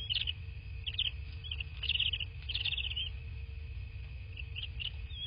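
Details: Bald eagles at a nest in southwest Florida, recorded on a nest camera on 13 March 2024 at 23:19. Several bursts of high, rapid chittering notes, each under a second, over a steady electrical hum and low rumble.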